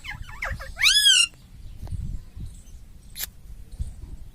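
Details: Talking pet parrot, said to say "mummy": short chattering notes lead into a loud, rich, arched squawk, then soft rustles and a click.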